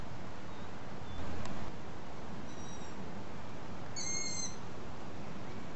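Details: Begging young long-eared owls, being fed by their parents well after sunset in the evening, give high, thin, squeaky calls like a creaking gate, one faint and one clearer drawn-out squeak, over a steady low rumble.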